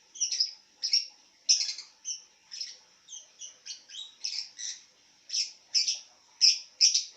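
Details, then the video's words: Lying-down lovebird calling steadily, a string of high, harsh chirps at an uneven pace, roughly one a second, some doubled, over a faint constant high hum. "Love bird Tiduran sambil bunyi"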